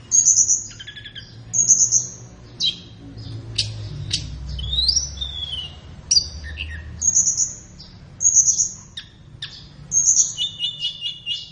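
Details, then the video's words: Flowerpecker song for training cage birds in the morning or afternoon: high sizzling trills repeated about every second or two, interspersed with sharp downslurred chips and short twittering phrases. "SUARA BURUNG - Masteran Terbaik Tledekan"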